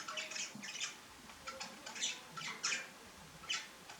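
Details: A common starling eating fat balls gives harsh, rasping squawks in quick irregular bursts, several a second at times, defending its food; a faint low hum and pet budgerigars sound in the background.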